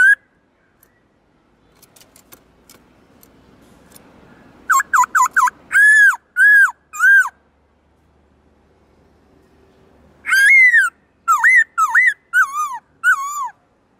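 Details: Black-throated laughingthrush, kept as a songbird, giving two bursts of varied song separated by quiet: short rising notes with looping whistles, later a loud falling whistle and several dipping notes.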